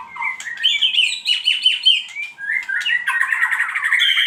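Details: Pancingan lure song of a white-rumped shama: sweet rising whistles lead into a rapid sequence of sharp, downward-sliding notes, ending in a thick, buzzy, twittering stretch.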